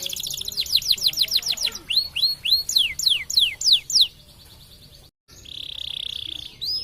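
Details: Energetic white canary song for training other birds: quick runs of sharp sliding whistles at about three per second, then a pause and a steady buzzy rolling trill ending in a rising note.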